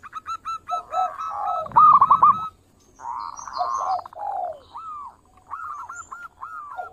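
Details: Zebra dove, local bird in strong song for luring: purring trills and quick stuttered notes, a pause, then a run of slurred, rising-and-falling cooing notes.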